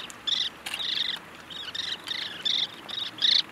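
Lesser sand plover giving short, dry, trilled 'drrit' notes, about two per second, high and slightly buzzy, over faint background hiss.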